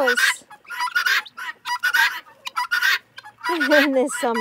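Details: Female helmeted guineafowl give harsh, grating calls in rapid bursts, about one a second, while a woman talks softly to them.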